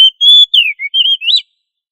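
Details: Oriental magpie-robin (kacer) singing 'gacor ngobra' as a master recording for other magpie-robins: a steady high whistle, a downward slur, a low short note, then a wavering whistle and a rising twisted finish.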